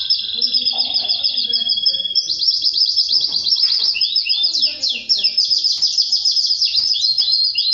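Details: Canary song tied to mating with a female: a steady whistled trill giving way to fast, varied slurred notes and rolling trills, high and continuous, with faint low voices in the background.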